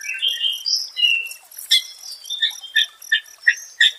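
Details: White-rumped shama (murai batu), song used as therapy for stressed birds: varied whistled slurs and short buzzy notes, then sharp clipped notes repeated about every third of a second, clear of other sounds.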